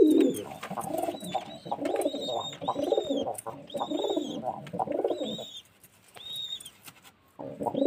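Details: Continuous low, wavering pigeon coos fill the first five seconds, then fall quiet before another coo starts at the end, with high whistled tones heard intermittently.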